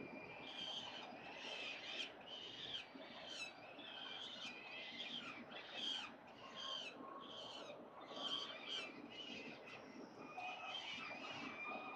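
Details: Wild peregrine falcons at their nest on a building, eating small prey for breakfast on 22 October 2022, picked up by a nest camera: faint, repeated high chittering calls come every second or so over steady rushing background noise.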